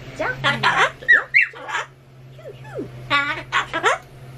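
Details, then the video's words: Pet Solomons cockatoo indoors repeatedly calling out words against renovation noise, its speech-like phrases made of rising and falling harmonic sweeps in short bursts, over a steady low hum. "工事の音に対抗して連呼したお喋りは…？ The words cockatoo repeated against the sound of renovations were…"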